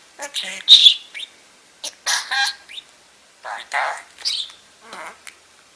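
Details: Pet budgerigar talking on a woman's shoulder while she sorts peridot: short raspy mumbles and a few whistled chirps separated by brief gaps.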